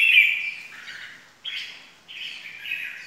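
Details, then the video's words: Red-whiskered bulbul gives three harsh, buzzy chattering bursts, each starting loud and trailing off, spaced about a second apart; nothing else is heard. "kích chào mào ché"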